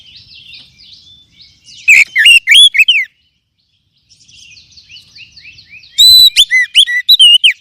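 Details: Oriental magpie-robin lure song meant to spur mature and young caged birds. Buzzy twittering runs under two loud bursts of quick, varied whistled notes, rising and falling, with a pause between.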